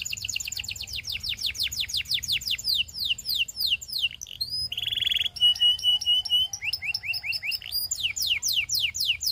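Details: Belgian canary singing to attract other canaries: fast series of descending whistled sweeps, a brief buzzy roll, then clipped repeated notes and more rapid falling sweeps, with a faint low hum underneath.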